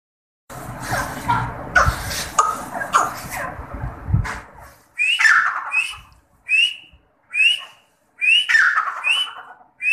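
A partridge gives a run of loud, sharp whistled notes that rise steeply, about one every half-second, after a few seconds of rough, noisy rustling.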